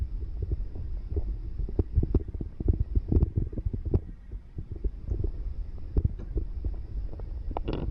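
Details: Irregular low thumps and rumbling knocks, like handling or footsteps, fill the recording without any animal voice.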